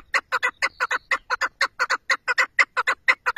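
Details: A chukar partridge repeats loud, harsh clucking notes in quick doubled pairs, a regular chattering rhythm with a faint whistle-like tone briefly behind it.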